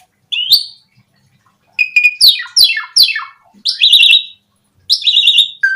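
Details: Asian pied starling song for luring starlings into singing: a whistled note, then three harsh descending rasping sweeps and two buzzy, wavering whistled phrases, with short silences between.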